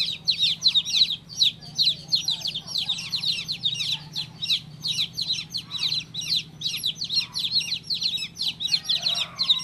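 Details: Shrill chirping of a baby chick: dense runs of quick downward-sweeping peeps, brief gaps between flurries, continuing for nearly ten seconds over a low background hum.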